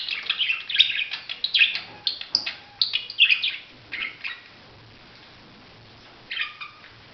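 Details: Budgerigar chirping in quick bursts of scratchy, warbled notes for about four seconds, then a pause and a short final burst.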